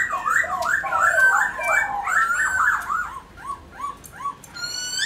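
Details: Black-throated laughingthrush singing to rouse caged birds: a dense, excited jumble of overlapping slurred whistles, easing into spaced, arched whistled notes and a final rising whistle.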